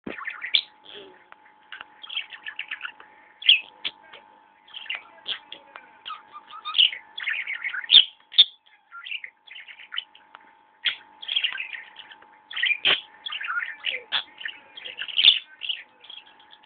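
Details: A pet budgerigar, since deceased, warbles steadily, with scratchy chatter, clicks and bright chirps running one into the next.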